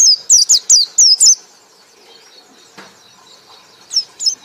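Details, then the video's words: White-eye song in the ngekek style: a quick burst of six high, sharply slurred whistled notes in the first second and a half, then near silence, then two more high notes near the end. "pleci anda akan ngekek ngekek keras"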